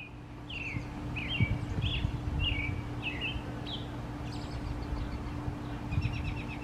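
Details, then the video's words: A male American robin sings a run of short, clear whistled phrases, rising and falling, about two per second, then pauses; steady low engine hum and faint higher chirps behind. "Male American Robin Singing"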